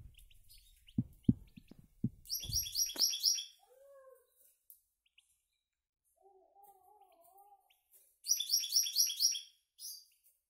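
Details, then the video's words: Caged goldfinch × canary hybrid youngsters, kept in a cage and now feeding on their own. Low knocks open the recording, followed by two bursts of rapid, high, buzzy twittering phrases separated by a long near-silent gap with a faint low warble. "mixtos de jilguero y canaria"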